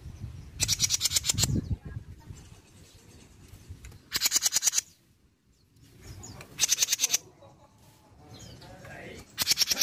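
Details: Jenggot bird, mini type, recorded in Indonesia to prompt other birds to answer: four machine-gun-like bursts of rapid harsh high clicks, spaced about two seconds apart, over a soft low background.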